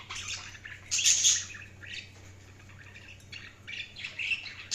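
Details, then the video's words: Busy budgerigar twittering: a loud, harsh, high screech near the start, then quieter scratchy chirps and warbles through the rest. "Budgies Sounds| Budgies Chirping sound"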